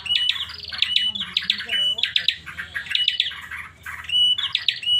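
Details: Unusual call from a pet bar-winged prinia: quick clusters of high, sharp chirps each ending in a short level whistle, with raspy buzzy notes between phrases, about one phrase per second; low background hum.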